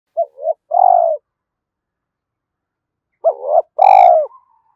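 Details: Spotted dove cooing, used to stir other doves into calling: two phrases about three seconds apart, each a short dipping note followed by a longer, louder, slightly falling coo.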